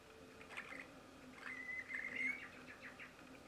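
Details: A brightly coloured Bluebonnet (Northiella haematogaster) in a group gives a brief whistled note, then a longer, slightly rising whistle among soft chirps, over a faint low hum.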